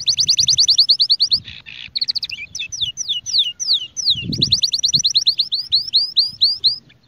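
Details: Song from a Spanish Timbrado canary for tutoring young birds: long rapid high trills, a brief buzzy rattle, well-spaced sweeping whistles, then another fast trill and arching notes, with faint low background noise.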